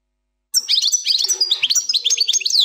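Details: European goldfinch singing a quick 'plak mine' phrase without errors: rapid high twitters, slurred whistles and a trill pour out continuously for about two seconds after a short silence.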